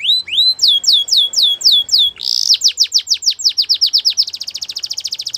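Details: Singing Belgian canary pours out high, falling whistled notes, first slow and evenly spaced, then a louder burst and quicker sweeps, ending in a very fast, buzzy roll of tiny repeated notes.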